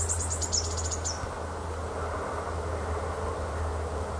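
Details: Female osprey at the Loch of Lowes nest, Scotland, on a wildlife webcam, calling in response to the male's unseen skydance: a rapid run of about eight thin, high, downslurred chirps lasting a second, over steady hiss and low hum.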